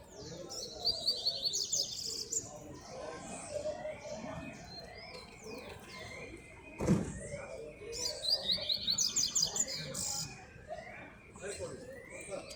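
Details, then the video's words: Rusty-collared seedeater singing a lot outdoors on a street: two bursts of fast, high, twittering song phrases, with other chirps, a door-like thump and background noise. "coleiro cantando muito na rua"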